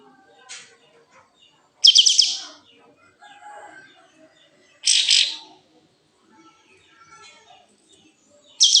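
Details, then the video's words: A kapas tembak bird, in breeding condition and spreading its tail, repeats loud scratchy buzzing bursts roughly every three seconds, with soft faint chirps and a thin short note between them. "full kapas tembak gacor buka ekor birahi"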